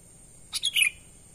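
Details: Sooty-headed bulbul calling naturally as a lure for wild birds: one short phrase of three quick notes, a sharp chip and then a slurred, descending whistle.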